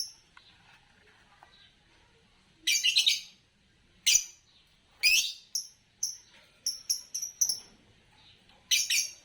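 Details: Green Fischer's lovebird: loud raspy chirps, then a fast run of short, piercing whistled tweets near the end, in a quiet setting.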